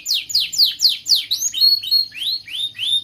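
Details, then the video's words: Canary song from a training recording for young canaries learning to sing; fast series of high descending sweeps, about four per second, shifting into rising whistled notes, with a faint low hum beneath. "Masteran Kenari gacor Muda belajar NATA LAGU, paling Pandai utk pancingan kenari paud belajar bunyi"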